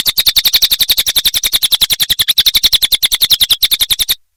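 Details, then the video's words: Cililin song recorded for tutoring songbirds: a continuous four-second run of sharp, high, evenly paced chirps, roughly ten each second, ending abruptly. "Masteran Burung cililin"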